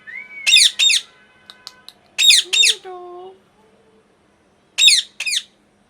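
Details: Agitated pet parrot giving paired harsh screams, one pair at the start, one mid-clip and one at the end. Between them sits a lower, drawn-out tonal squeal and a faint steady hum.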